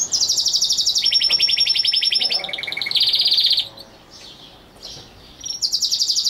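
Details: Domestic canary song made of loud, fast, buzzy trolls that step between high and middle pitches, each rapid roll lasting about a second, followed by a quieter stretch and a fresh high trill.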